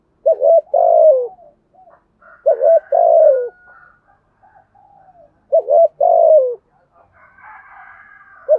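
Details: Spotted dove fast cooing to stir up rival doves: three low phrases, each a clipped double note then a long sliding coo. Softer short calls fall between them, and faint higher bird sounds come near the end.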